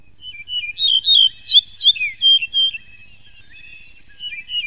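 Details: Yellow-breasted bunting (Emberiza aureola) singing a bright, fluting phrase of clear whistled notes that rise and fall, lasting about three seconds, followed by a few softer whistles.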